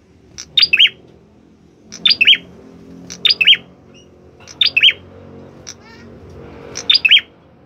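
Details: A red-headed prinia in full song gives short, sharp, high squeaky phrases of two or three notes, repeated about every second and a half over faint indoor background noise.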